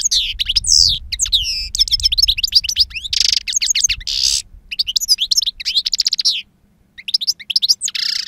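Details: Two-year-old European goldfinch with wild-type song, prized for powerful timbre and long calls, delivers rapid liquid twitters, trills and rasping buzzes in bursts, with a brief pause near the end before resuming.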